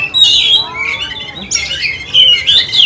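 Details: Agitated oriental magpie-robin singing in the 'kanibal, mbagong, salto' style meant to provoke rival magpie-robins. Harsh, squawky bursts alternate with brief clear whistles over about three seconds.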